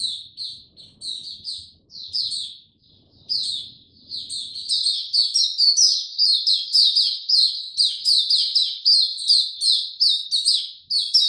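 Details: Captive Oriental white-eye opening its song in a slow, easy style, 2 May 2022. Spaced high chirps at first, then an unbroken rapid series of loud, sweet, downslurred notes lasting several seconds.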